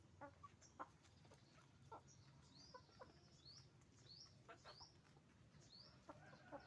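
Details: Chicken farm roosters and hens: faint scattered clucks over a steady low hum, with repeated thin high chirps from small birds in the background.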